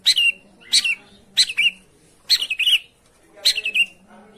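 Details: Long-tailed shrike sound for coaxing a silent bird to sing: five separate grating calls, each ending in a falling rasp, spaced about a second apart in a quiet setting.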